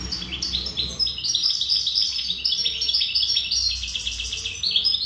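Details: Wild-type European goldfinch, locally called khalwi mqnin, singing a distinctive melody: a continuous, rapid run of bright twittering and tinkling notes, with fast chirps and short trills stacked without pause.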